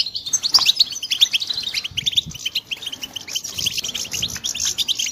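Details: Several European goldfinch chicks chirp together in a busy chorus of high, thin, rapid tweets, bursts rising and falling in loudness every half second or so, with a quieter pause near the middle.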